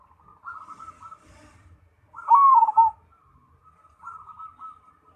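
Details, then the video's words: Perkutut Cemani zebra dove giving one loud, quavering coo phrase that falls in pitch, set among softer, steady, bubbling coo notes before and after. "Perkutut Cemani Gacor"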